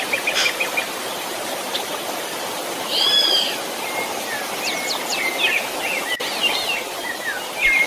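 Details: Two Gurney's pittas, possibly playing, interacting or in a mating ritual, with one giving a clear, short whistled note, followed by scattered thin chirps from other small birds over a steady forest hiss.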